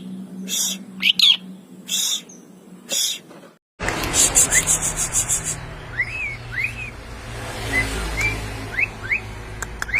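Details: Javan pied starling imitating the calls of many other bird species: a run of loud, clear whistled bursts, a short gap, then repeated short rising whistled slurs over steady background hiss and low hum.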